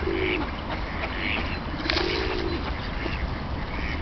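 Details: Wild ducks wintering by the hundreds on the small Tourujoki river, Jyväskylä, Finland, kept open by warm paper-mill water; drawn-out low calls mixed with higher squeaky notes and brief quacks over a steady rumble.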